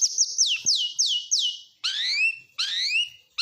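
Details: Oriental magpie-robin, kacer style, in a song packed with borrowed phrases of lovebird, canary and prinia. A run of six bright downslurred whistles comes first, followed by two long rising layered sweeps and a brief opening note of another.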